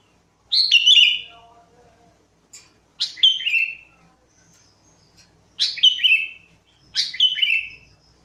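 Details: Sooty-headed bulbul, singing for use as a lure: four loud, gurgling phrases, each sliding downward, spaced a couple of seconds apart, with a soft lower twitter after the first.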